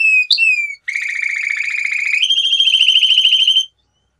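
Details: A few short slurred notes from a male canary, a brief pause, then a long rapid trill that steps up to a higher pitch before stopping.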